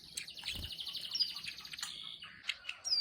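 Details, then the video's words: Plain prinia (ciblek sawah) giving a quiet ngeriwik trill: a fast, high, buzzy stream of clicking notes, then a few separate ticks and a short thin whistle, over soft background hiss. "CIWAH KLIK NGERIWIK GACOR"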